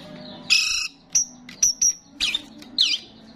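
A starling sings a lively, varied phrase: a harsh rasping burst, three high clear whistles, then buzzy, chattering notes, over a low steady hum.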